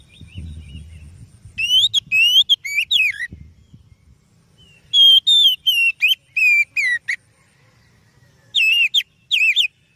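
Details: Kacer or oriental magpie-robin song for luring birds: three bouts of rapid whistled notes, varied and slurred up and down, with a low rumbling noise at the start and silence between bouts.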